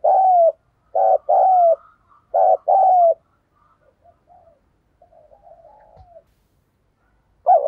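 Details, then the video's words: Spotted dove decoy bird in a cage giving repeated paired mellow coos, short then long and falling, followed by a stretch of faint soft murmuring coos and a final loud coo. "tiếng chim cu gáy mồi chuẩn cực hay// Chim cu gáy gù + gáy gọi"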